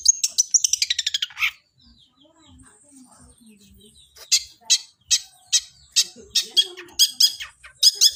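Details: Long-tailed shrike in fighting mode, its song imitating a sparrow: a fast falling run of sharp chips, a pause with faint low sounds, then loud harsh chattering notes about every half second.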